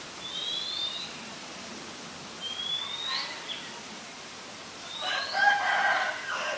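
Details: White-vented myna from Ubon Ratchathani, Thailand, 9 March 2022; thin upslurred whistles sound at intervals, then a loud, grating multi-toned call near the end over faint hiss.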